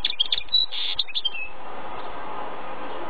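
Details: Male mule of goldfinch and canary parentage in a quick run of high chirps and sharp twittered notes lasting over a second, then stopping into steady background hum.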